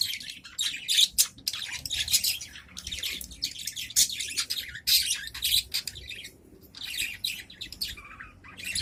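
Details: Several adult budgerigars in a cage answer one another in a continuous high, twittering warble of rapid chirps, clicks and scratchy notes that rises and falls in short bursts throughout.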